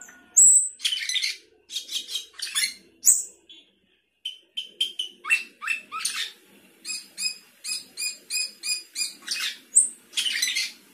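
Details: Sooty-headed bulbul in busy 'gacor isian' song, mixing harsh rasping bursts, brief clear whistles, and long runs of rapid evenly repeated high chirps, almost without pause.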